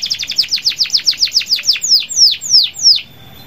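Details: Local canary singing hard to set other canaries singing; a series of high, clear, downward-slurred whistles, rapid at first and then slowing and lengthening over three seconds before stopping.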